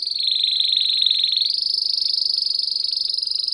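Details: Belgian canary (Serinus canaria) bell song used for training young and adult canaries: a fast, even, high-pitched rolling trill that steps up slightly in pitch midway, pulses too quick to count, no other sounds.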